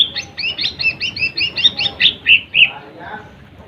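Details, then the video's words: Lesser green leafbird song used to provoke rival birds: a rapid series of bright two-tone chirps, about a dozen in quick succession, ending in a few louder rising whistled notes. "SUARA Cucak Ijo Mini | Pancing Emosi Burung Lawan"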